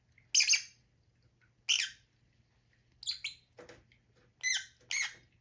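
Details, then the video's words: Lovebird giving loud, shrill single screeches spaced over a second apart, then quicker paired squawks near the end; faint low hum beneath. "Lovebirds sound"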